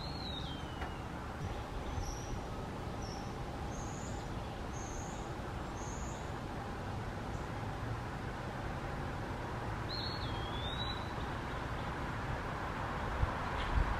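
Eastern Wood-Pewee giving two slurred, drawn-out whistles about ten seconds apart, one at the start and one near the end. High thin chips and a steady traffic-like rumble fill the background.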